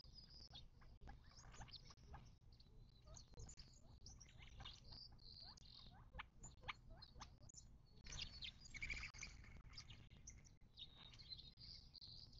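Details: Birds at a watering hole in the western Mojave Desert of southern California, near Joshua Tree National Park, on March 19, 2024: a busy chorus of short, high chirps and sharp ticks overlapping steadily, with a faint low rumble beneath.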